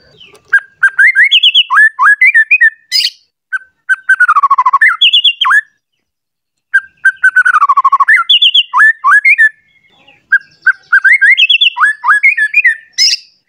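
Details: White-rumped shama worked up and looking for an opponent, unloading its fills in three bursts of rapid whistled phrases, each a rising and falling sequence of loud notes with high sharp accents, separated by brief silences.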